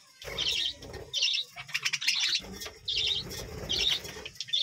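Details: A budgerigar colony at a village home gives high, buzzy chirp bursts almost every second, over a continuous low cooing and fluttering background.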